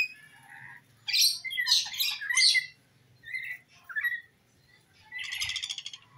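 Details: Rainbow lorikeet calling actively, used as a lure to draw an escaped lorikeet back: harsh, broadband screeching bursts clustered in the first seconds, then shorter chattering notes and a buzzy rasping burst near the end.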